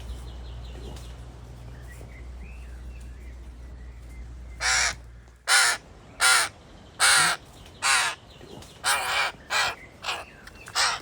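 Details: A weak, likely dehydrated baby crow that fell from its nest gives about ten harsh, hoarse caws in quick succession as it grows hungry. A low, steady hum and faint whistles of another bird come before.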